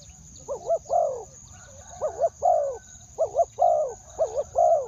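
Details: Spotted dove giving a two-word luring call used to draw in wild doves. Paired low, mellow coos repeat about every second, with a steady high whine and low rumbling noise behind.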